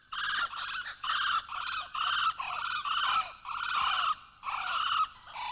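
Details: A nesting pair of Blue-winged Kookaburras in an old gum tree in Kakadu, far north Australia, gives the daily call that confirms ownership of their territory. It is a harsh, raucous cackling chorus of rapid, strident bursts, about one per second.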